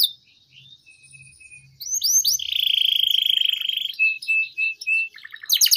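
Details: Canary song for training juvenile canaries: quiet soft notes at first, then loud rising swoops, a long steady buzzing trill, short flat whistles and a final burst of sharp notes.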